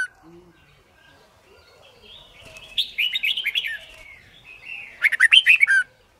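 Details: Red-whiskered bulbul in competitive song, recorded to help birds learn its voice: quiet notes build into a run of quick, rich warbled whistles, then a final louder burst of tumbling phrases before stopping.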